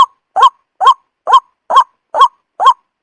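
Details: White-breasted waterhen call played as a lure for trapping birds: a hoarse, rising croak near one pitch, repeated steadily about twice a second, seven notes, each short and clean against a silent background.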